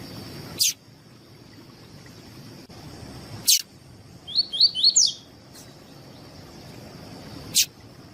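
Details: Double-collared seedeater giving a tuí tuí song phrase, meant for teaching and warming up other seedeaters: a quick cluster of high, slurred whistled notes amid steady hiss, with three sharp clicks spaced apart.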